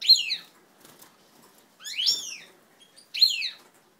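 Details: European goldfinches of an old native line during pair formation, 20 March 2012: three bright, upward-sweeping twittered notes, each about a second or more apart.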